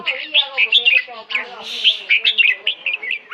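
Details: Caged red-whiskered bulbul in Hat Yai, Thailand, chattering fast with bright, liquid chirps and short rising and falling notes, while a man talks over it in low tones.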